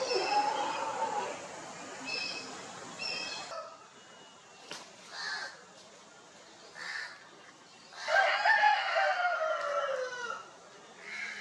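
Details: Rooster crowing on a poultry farm in India, among Italian and desi chickens establishing territories, dust bathing and preening; a long harsh drawn-out crow with a falling tail, plus scattered clucks and short calls.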